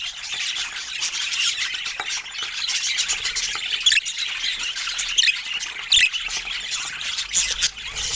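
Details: Budgerigars sharing fruit, heard as steady, scratchy high chatter of many short chirps and warbles, with a few sharp clicks standing out.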